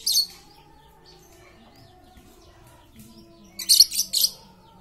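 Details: Chattering lovebird used to coax silent lovebirds into song: a short raspy screech at the start, a quiet gap with soft background chirps, then a clustered pair of loud harsh bursts near the end.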